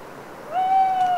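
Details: An owl calls alone at night in autumn woodland near Les Assions, France, after rain; a steady, pure hoot starting midway and held level, with wet foliage dripping softly behind.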